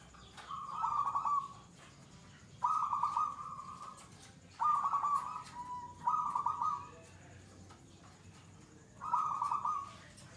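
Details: Perkutut, or zebra dove, singing in the gacor style, the third stage of a bird that is adapted and calm, with bouts lasting two minutes or more; five rolling, low-pitched coo phrases separated by pauses of about two seconds.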